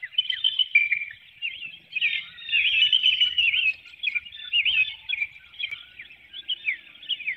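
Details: Wild female bald eagle at a nest in a woodlot in Hanover, Pennsylvania, calling before dawn on 12 April 2019 as she leaves the nestlings and flies out; a dense, continuous high twittering chatter of quick chirps, recorded by a nest webcam.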